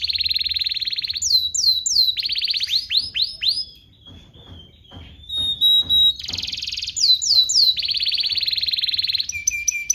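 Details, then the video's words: Canary song recorded as a long tutoring track for young canaries, with long songs, shots and rolls: loud, high, buzzy rolls, rapid descending whistled notes and sharp repeated chips, with a brief quieter stretch midway. "PANCINGAN KENARI GACOR DURASI PANJANG UNTUK MASTERAN KENARI PAUD BELAJAR BUNYI DAN GACOR"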